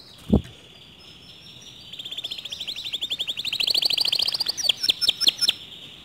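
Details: Canary song said to trigger other canaries to sing: a click, then a rising rapid trill of repeated notes that grows louder and ends in separate sharp notes.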